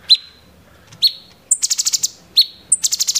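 A stripe-throated bulbul gives sharp, high chirps, each followed by a fast, buzzy rattling trill, repeated in quick bursts.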